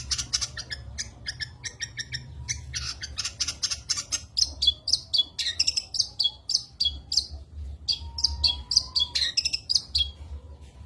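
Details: Long-tailed shrike in lively song with fills, an opening stretch of rapid scratchy chatter giving way to a long series of clear rising whistled notes repeated about every half second.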